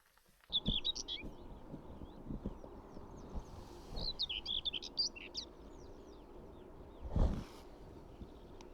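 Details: A Common Whitethroat in summer farmland with crops by a road, early morning around 5:30, gives two short, scratchy, hurried warbles about three seconds apart, over a steady low rumble of wind and a brief thud near the end.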